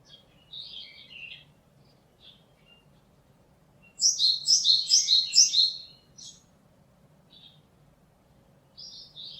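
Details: Japanese tit singing, recorded 27 March 2022: a short burst of repeated two-note phrases, high and rapid, preceded and followed by fainter scattered chirps over a quiet low background hum.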